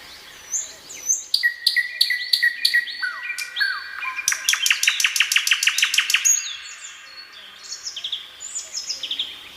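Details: Common nightingale in song at sunset, evening forest of Krasnodar Krai, Russia; varied whistles build into a fast, even, rapidly repeated rattle of about a dozen notes, followed by softer twittering phrases.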